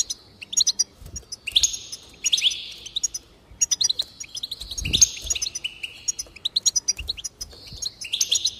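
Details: Goldfinch song for encouraging singing: lively chattering phrases mixing tinkling chirps with nasal buzzy trills, continuous and fast, a couple of soft low knocks.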